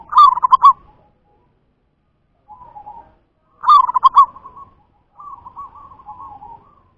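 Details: Local wild zebra dove song: two loud bursts of rapid, bubbling trilled coos, each followed by softer purring phrases, repeated about three seconds apart over a quiet background.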